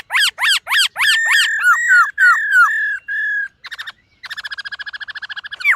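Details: Silver-eared laughingthrush (khướu bạc má) in morning voice-training song: a rapid series of sharp descending notes, then looping slurred whistles, ending in a fast buzzy chattering trill.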